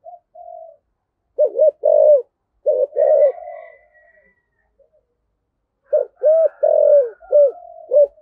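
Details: Spotted dove calling coo in the 'giọng thổ' (cúc đình) style: short soft hoots, then loud, deep, bouncing coos given in quick succession in two bursts, with a faint higher whistle in between.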